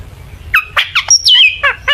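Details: Lure recording of a Long-tailed shrike singing its 'isian' style: harsh squawky notes followed by a clear high whistle gliding downward, then more rasping notes.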